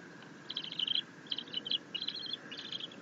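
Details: Bald eagle eaglet chittering while its mother feeds it a fish: four clustered bursts of shrill, rapidly stuttered notes, evenly spaced across three seconds.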